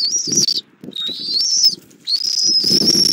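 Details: At a Southwest Florida nest on 24 February 2024, a bald eagle mother feeds her eaglet an armadillo at 08:41 on a nest cam. Loud, thin, high whistled notes come in three bursts, slightly wavering, with low muffled rustling beneath.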